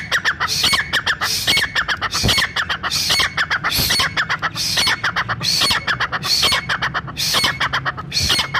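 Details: Brown francolin call used by hunters to bring francolins together in the forest: dense, continuous chatter of harsh clucking notes and high squeaks repeated steadily through the whole stretch.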